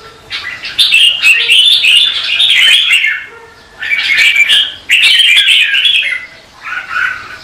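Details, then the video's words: Red-whiskered bulbuls in morning competitive-singing practice, recorded as lure song for training: dense, overlapping warbled phrases with loud bursts of chattering whistles, pausing briefly between long runs. "Chào mào Luyện hót đấu mỗi sáng 30' - Căng lửa hót hay"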